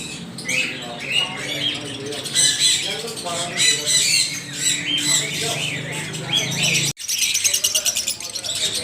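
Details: Noisy parrots giving loud, grating squawks in quick bursts, followed by a fast buzzy rattling series near the end.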